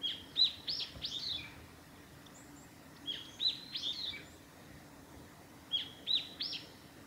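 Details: A Japanese tit on the Hayato River forest road by Lake Miyagase, Japan, on 28 Mar 2020 sings three quick bursts of bright, high, ringing notes, each about a second long and a few seconds apart, over a faint hum.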